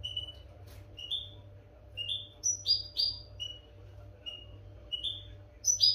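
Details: Captive goldfinch training audio: a European goldfinch gives rapid bright chirps and brief sliding whistles, some notes stacked in quick pairs, against a steady low hum.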